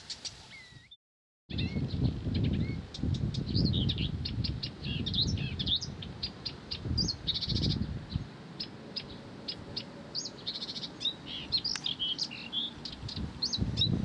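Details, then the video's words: Blyth's reed warbler pouring out a long varied song of rapid clicks, whistles and buzzy phrases, partly masked by strong low rumbling noise, after a short silent gap near the start. "САДОВАЯ КАМЫШЕВКА НЕ В СИЛАХ ПОМОЛЧАТЬ!"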